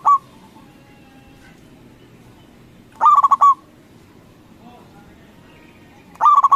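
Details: Local zebra dove call intended to make rival doves reply: stuttered, ringing coo phrases about every three seconds, one cut at the start, with a faint distant coo between them and low background noise.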